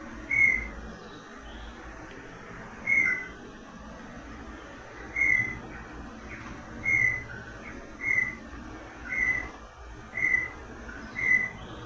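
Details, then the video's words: Brown tinamou, the inhambu-guaçu, of the Atlantic Forest from Bahia to Rio Grande do Sul, giving its long characteristic song: clear, level whistled notes, widely spaced at first, then coming closer together, over a steady background hiss. "E essa espécie tem um canto mais longo, né, e mais característico. Vamos ouvir o canto do Inambu Iguaçu. Olha"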